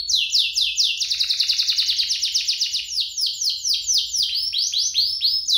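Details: Canary singing, a recording for prompting canaries to start singing; a long, steady sequence of rapid falling notes about four per second, with a low rolling trill underneath early on.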